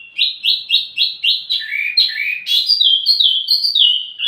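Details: Wambi mini, sung as a lure and master for tledekan: a series of quick rising whistled notes about four per second, then lower slurred notes and a high, steady trilled ending.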